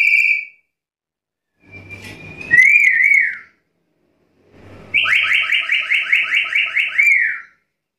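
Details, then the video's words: Black-capped lory: a short shrill whistle, then a wavering falling note, then a long warbling trill of rapid rising-falling whistles lasting over two seconds, with faint low background rumble. "Suara burung nuri kepala hitam gacor"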